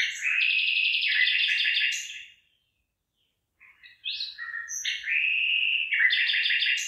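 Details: Bird singing over rice fields just starting to head: rapid buzzy trilled phrases with sharp high notes for two seconds, a pause of near silence, then varied whistled and trilled phrases resume loudly.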